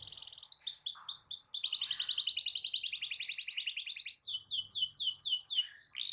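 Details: Canary delivering a long rolling song intended to provoke rival canaries to sing: a few looping sweeps lead into a dense, fast buzzing roll, then clear repeated downslurred notes.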